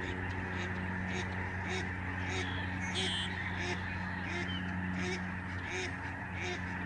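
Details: Snow geese, the lesser form, fly overhead in a huge flock at a Canadian migratory bird sanctuary, November 2011. Short repeated honks rise from a thick background chorus, with a steady low hum.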